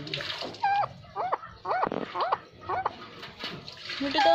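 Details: Angry pet parrot giving a string of short harsh squawks with sharp rising and falling notes, roughly two per second, over background noise.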